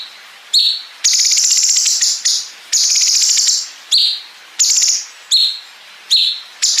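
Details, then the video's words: {'caption': 'Bulbul recorded as training material for contest songbirds, with loud drawn-out rattling trills alternating with shorter falling chirps in a steady back-and-forth pattern.'} "MASTERAN GACOR CUNGKOK ISIAN BREN PANJANG SAMBUNG NGEPIK"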